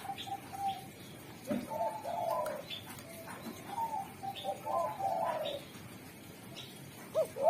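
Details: Quieter derkuku spotted dove, said to call wild spotted doves with a sharp, clear song, giving soft repeated coos in short phrases amid faint clicks and high chirps of other birds.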